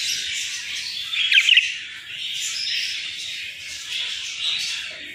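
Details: Budgerigars, a mother Latino budgie with her chicks, kept as cage birds: continuous dense high chirping and twittering chatter, with a brief louder burst of chirps around the middle.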